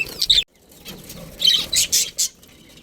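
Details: Breeding pair of budgerigars in a colony: a brief shrill chirp, then a short pause, then a cluster of four bright, scratchy chirps.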